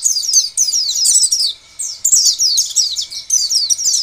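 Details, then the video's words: Oriental white-eye singing a lure song meant to set other white-eyes off: a dense, nearly continuous high chatter of quick falling notes, broken once by a short gap near the middle. "Biasanya pleci lain akan bunyi dan gacor bila mendengar pancingan pleci seperti ini."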